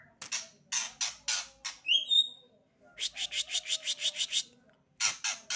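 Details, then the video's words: Novice white-rumped shama in full voice: sharp high bursts and a quick rising whistle, then a steady series of about ten repeated notes, ending with another loud burst. "pemula murai batu || langsung gacorr"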